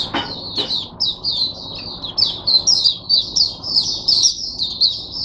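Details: Caged oriental white-eye, a teacher bird for other white-eyes, recorded 22 January 2022: two sharp clicks at the start, then a sustained high sweeping warble of linked twittering notes.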